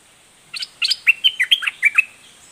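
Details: Red-whiskered bulbul singing: after two short chirpy notes comes a quick phrase of about eight clear, bubbly, whistled notes that rise and fall, lasting roughly one and a half seconds.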